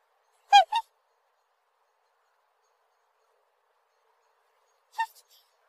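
Black swan giving a quick pair of high, rich, bugling honks, then a single honk about four seconds later, in otherwise quiet surroundings.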